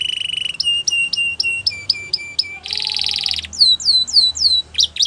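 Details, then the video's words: Belgian canary song with a quick low trill, repeated flat whistled notes in clusters, a harsh buzzy roll, and loud falling slurred whistles near the end. "Belgian Canary Singing"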